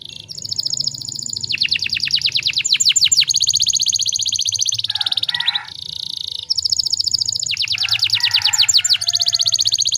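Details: Canary song used as a lure to get other canaries singing quickly: long rolling trills of rapid repeated notes, high sweeping rattles and a brief lower buzzy phrase, continuous and loud, over a faint low hum.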